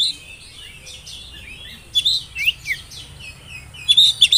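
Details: Whistled song of an oriental magpie-robin (kacer trotol), meant to prompt young birds into singing: soft warbled phrases, then a quick run of sharp downward-slurred chirps and a bright high whistle at the close.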